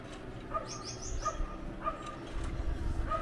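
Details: Gouldian finches, a pair, giving a quick series of four thin descending high notes, followed by soft mid-pitched peeps repeated about every half second over low rumble.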